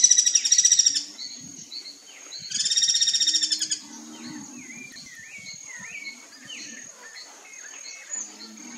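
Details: Guira cuckoo, called anu-branco in Brazil, calling a warning to others: two loud grating rattles of fast pulses, each about a second long, followed by quieter chirps and twittering from other birds.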